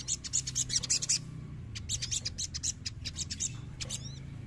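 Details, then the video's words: Sogon, a young bird in training, provoked into an agitated mood. It gives bursts of high, scratchy chattering notes, then pauses and returns to sparser chirps with a faint upslurred whistle. A low background hum runs underneath. "CEPAT PANCING EMOSI SOGON BAHAN"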